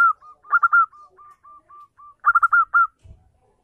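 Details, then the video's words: Local zebra dove lure song for a silent dove: a quick cluster of hooked coos, a row of soft even single notes, another loud rapid burst, then a brief knock. "perkutut lokal gacor pancingan ampuh perkutut bisu langsung nyaut"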